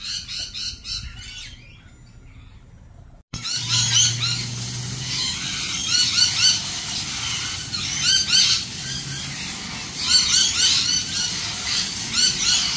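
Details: Lorikeets in a flock, giving dense, shrill, high screeches and chatter that overlap continuously after a brief quieter opening with a break; a low engine-like hum sounds early on.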